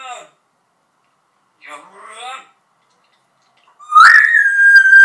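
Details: Talking pet parrot in Turkey, which sings a march and recites learned words, utters short raspy speech-like fragments separated by silence, then a loud sustained whistled tone.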